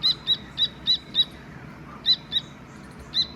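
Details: Baby Dakni teetar partridge calling: sharp, high chirps in short groups of two to five, separated by gaps of about a second, against a quiet low rumble.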